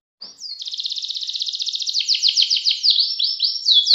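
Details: Canary singing in the ngerek ngacor style, a long continuous rolling song: a fast, even, high-pitched trill of rapid notes that builds in loudness, then breaks into a string of quick downward-slurred chirps.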